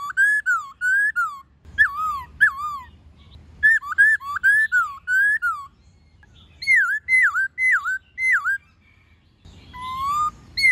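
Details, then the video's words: Wild-style laughingthrush song mixing many voices with a female calling, used to stimulate captive birds: long series of loud rolling whistles, dipping and rising, in rapid groups with brief pauses between bouts. "Khướu Hót giọng rừng NHIỀU GIỌNG + MÁI RÒ khướu bổi"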